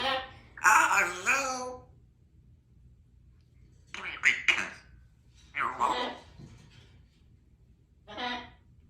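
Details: Pet African grey parrot talking indoors. Several short, speech-like phrases with a nasal, human-mimicking quality come in bursts separated by quiet pauses, in a small room.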